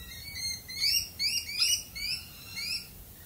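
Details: Australian galah uttering a quick string of high, squeaky, upward-sliding chirps, several overlapping in a burst, then tapering to a few lone rising squeaks.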